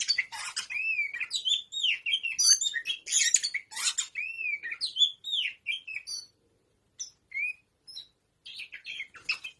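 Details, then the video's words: Tame oriental magpie-robin, called kacer, singing energetically: varied whistled phrases with rising-falling arched notes mixed with harsh scratchy chatter, broken by short pauses. "Burung Kacer Jinak Ngobra‼️"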